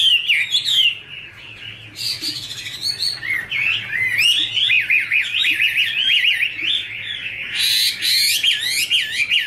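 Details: Singing female Chinese hwamei with a male as backdrop: a long run of quick warbled, zigzagging whistles, loud and continuous, with harsher bursts near the start and end.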